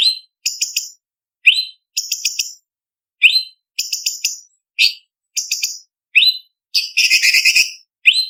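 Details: Blue-winged leafbird singing a contest-training song: repeated rising whistles and short stuttering chatters follow each other quickly, ending with a long, loud, harsh trill and a final upslur.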